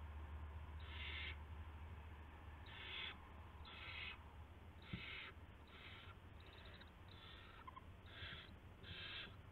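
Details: Owl at the nest in the early morning of March 9, 2016, around a rat prey delivery; rasping hiss-like bursts come roughly every second, some slightly uneven, with a constant low background rumble.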